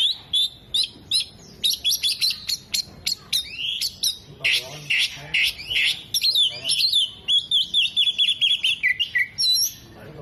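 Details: Oriental magpie-robin in full song with its tail open, imitating hummingbird, bearded bird and lovebird. Quick sharp chips and squeaks alternate with bursts of buzzy, scratchy warbling and high trills, delivered almost nonstop.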